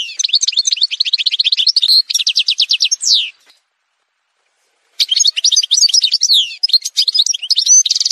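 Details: Song of an Algerian goldfinch from a montage recording, a fast tumbling run of high twittered notes ending in a sweeping slur, then silence before another dense burst of chirps and trills.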